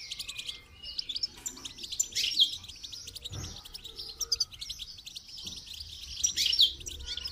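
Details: Song-training goldfinch pouring out quick, tinkling twitters with sharp bright accents and buzzy rattles in repeated bursts, over a quiet background.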